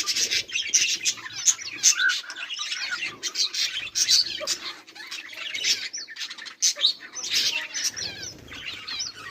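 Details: A flock of budgerigars chirps and chatters without a break, mixing sharp squeaks and warbled notes, with some wing flapping.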